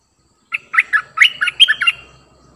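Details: Cream-vented bulbul, a new decoy bird used to lure wild birds, giving a short bubbly chattering phrase of quick rising and falling notes, about eight rapid bursts in under two seconds, with a faint low hum beneath.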